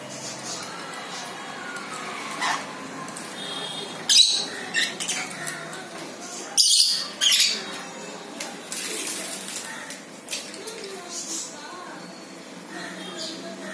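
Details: A pet lorikeet bathing and playing with a sun conure gives harsh, grating screeches now and then over a steady hiss of running water.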